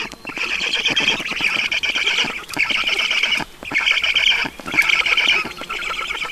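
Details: At a Black Stork nest in Estonia, 20:28 on 5 June 2019, water being brought; shrill, buzzy squeaking bursts roughly once a second, irregular in length, with clicky pulses beneath.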